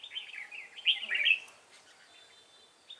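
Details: Red-whiskered bulbul calling from a fighting trap in Vietnam, a female nearby: a rapid run of clear warbled notes swelling to a loud, rich flourish, then quiet with a faint thin tone.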